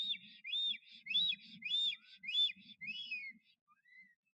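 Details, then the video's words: Courting male black stork displaying at the nest, Notecka Forest, 12 April 2023; six arched whistled notes in quick succession over a low murmur, then the phrase fades into two quiet thin whistles. "Bocian czarny Puszcza Notecka - Starania o samice"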